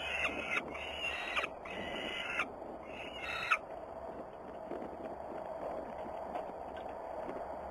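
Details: Peregrine falcons, Włocławek, Poland, on 6 June 2010, a Sunday afternoon: three rasping, nasal calls within the first few seconds, the middle one longest, then only low background hiss.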